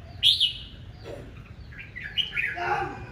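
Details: Red-whiskered bulbul singing fiercely in a morning duel meant to stimulate males; loud, clear, bright whistled notes open, followed by a run of rapid warbling, chirpy phrases, with little background noise.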